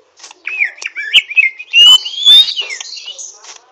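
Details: Greater green leafbird practising song with rough 'ngriwik' twittering: short chirps and clicks lead into a long, bright, rising whistled slur, followed by a scratchy high warble.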